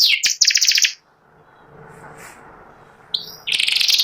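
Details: A caged white panda canary, a symmetrically patterned bird said to sing one line and able to copy other birds, gives fast high rattling trills, pauses about two seconds, then resumes with rapid buzzy trills.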